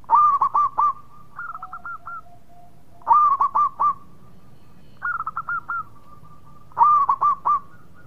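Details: Local zebra dove singing vigorously: three bursts of quick, rolling cooing notes, each a stuttering run followed by a softer trailing coo, spaced about three seconds apart over a faint steady hum.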